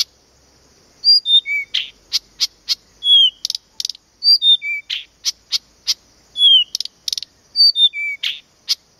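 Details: At Planta, Podlaskie, Poland, a Blyth's reed warbler repeats a phrase of descending clear whistles followed by harsh clicks and a buzzy note, the pattern recurring about every three seconds in a quiet setting.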